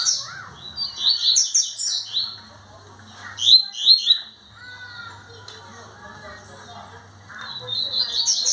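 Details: Caged male double-collared seedeaters at a breeding facility in a singing dispute between two males, 1 January 2025; loud bursts of quick, high chattering notes alternate with quieter gaps, while softer whistles and chirps from other birds sound throughout.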